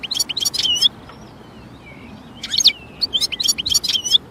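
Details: European goldfinch singing in nature: dense, high, tinkling twitter in two outbursts separated by a brief pause filled with faint thin whistles.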